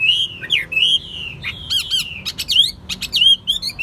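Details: Chinese hwamei in a cage gives long drawn whistles followed by rapid sharp upsweeps and harsh crackling notes, a lively varied phrase over a faint room hum.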